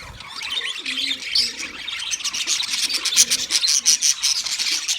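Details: A flock of wild budgies chirps rapidly, with many short, sharp notes tumbling over one another and growing busier toward the end. Soft low coos sound now and then beneath the chatter.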